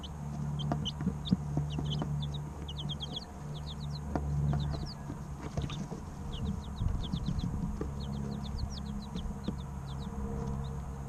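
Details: Group of three-week-old baby chickens chirping constantly, many quick high descending peeps overlapping in a busy stream, roughly four a second, above a continuous low hum.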